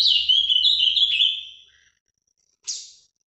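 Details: Paraná-style song of a captive Brazilian ultramarine grosbeak: a loud rushing warble that fades over about a second and a half, then silence and a single sharp high note.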